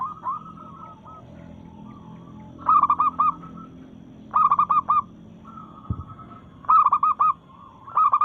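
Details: Local zebra dove in breeding mood, singing to challenge rivals: loud bursts of four or five quick, bubbling coos at intervals of about two seconds, with softer rolling coos from another dove between phrases.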